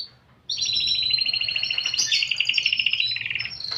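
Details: Canary in energetic, distinctive cengkok song: after a brief thin note and a pause, a long continuous rolling trill, buzzy and dense, shifting in pitch partway through and ending on a high whistle.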